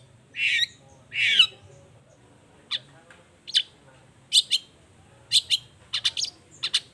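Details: Long-tailed shrike singing as a lure for other shrikes: two drawn-out harsh rasping notes, then a pause before spaced, short sharp chips that come in pairs and small clusters.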